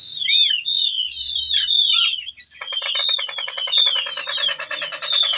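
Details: Whistling thrush singing steadily while in breeding condition and calling a female; sweet slurred whistles and chirps, then from midway a loud rapid rattling buzz continues beneath repeated downward whistles.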